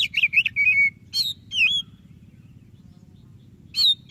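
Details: Lively white-breasted Oriental magpie-robin song used to coax a quiet bird into singing: quick varied whistled notes, then a falling whistle and a rising-falling phrase, a pause, and another sharp phrase, over a steady low hum.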